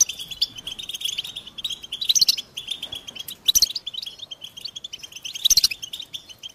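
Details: American goldfinches singing: a dense, continuous high twittering chorus with rapid chirps and trills, and brighter, louder bursts of notes around two, three and a half, and five and a half seconds.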